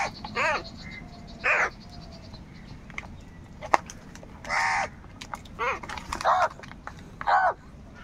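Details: Crows squabbling over food call repeatedly: roughly seven harsh, rasping caws spaced irregularly over eight seconds, some dropping in pitch at the end, with sharp clicks and a quiet background between calls.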